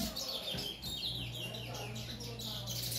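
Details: Caged bullfinch, white-throated full brown bird called blood bird, on its third day in the cage, giving a run of quick high chirps and short downward-sliding notes, several per second, over a steady low electrical hum.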